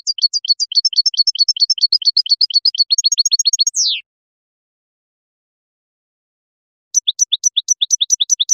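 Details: European goldfinch natural song from a lure recording: a rapid run of high tinkling notes repeated about twice a second, a dropping buzzy slur, a long silence, then the quick ringing series resumes; no other sounds.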